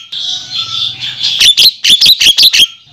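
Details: Javan myna lure call used to attract wild male mynas: a hissing, scratchy stretch, then a quick run of six harsh, raspy chattering notes about five per second.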